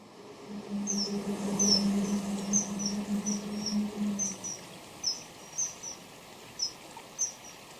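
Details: Common kingfisher song: a male and female calling back and forth close together. Thin, high whistled notes come roughly every half second, closer together early on and sparser later. A steady low hum runs underneath for the first four seconds.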